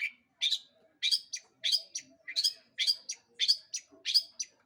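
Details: Long-tailed shrike song used to provoke other birds into singing: harsh, grating paired notes repeated at an even pace, roughly twice every second and a half.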